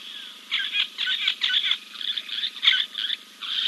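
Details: At King's Camp on 2 April 2024, a giant kingfisher preens after a dip; a long series of grating, clicking bursts follows in rapid uneven succession above a constant high-pitched background hum.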